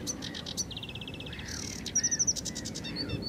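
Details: Sedge warbler in lively song: scratchy ticks, an even rapid trill of about a dozen notes, a brief buzzy burst, then sharp high whistled notes and more chattering, over soft low background noise.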